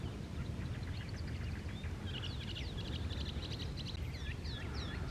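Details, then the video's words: Chilean Mockingbird singing in the Panul forest at the foot of Santiago, Chile, in July (winter): a run of varied, high chirping and twittering phrases, thin at first and then fuller and more jumbled, over steady low rumbling background noise. "Le chant du moqueur polyglotte du Chili (Mimus thenca)."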